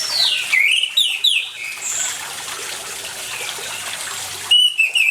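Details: Orange-headed thrush (anis merah) singing with water noise, a lure for birds that have stopped singing: a tumbling run of whistled slurs and a high note, then steady trickling water, and a short whistled phrase returning at the end.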